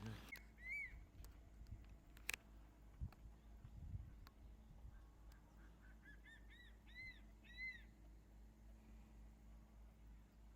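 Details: Crested serpent eagles on Ishigaki Island, Okinawa, Japan, calling back and forth: an early ringing, arched whistled note, then a rapid run of four or five rising-and-falling whistles, with scattered clicks and low rumbling background.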